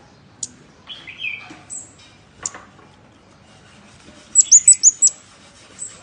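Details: Scarlet-backed flowerpecker lure call: sparse high chirps, then a quick burst of five sharp, very high ticking notes near the end, followed by one more faint tick.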